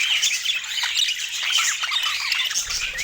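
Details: Budgerigar warbling that is loud and close: rapid, twittering squeaks and short rising and falling notes packed tightly together for the whole stretch.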